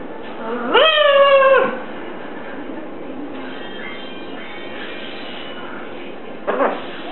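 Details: Pet Catablue macaw chattering while watching TV: a loud, rising, harmonic screech lasting nearly a second, then quieter murmuring and a short sharp call near the end.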